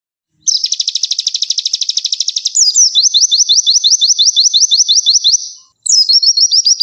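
Red-billed Leiothrix giving rapid high trills: a fast buzzy stutter, then a run of quick upslurred notes, about six per second, then another bright trill.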